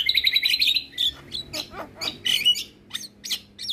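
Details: Masteran tutor recording of Javan myna with other myna types for lazy singers: a rapid, slightly rising whistled trill, then separate squeaky chirps and harsh notes spaced roughly every third of a second.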